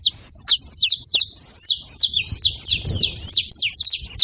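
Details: Saffron finches calling as a group: bursts of bright, high descending chirps, paired and overlapping, with a short pause before a fuller run.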